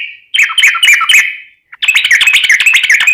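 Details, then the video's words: Lure recording of a yellow-vented bulbul (trucukan) singing vigorously: a burst of loud, rapid chirping notes fades away, then after a brief gap a fresh, steady series of quick, repeated chirps begins. "Ini Baru Pancingan Trucuk Sesungguhnya || Burung TRUCUKAN GACOR"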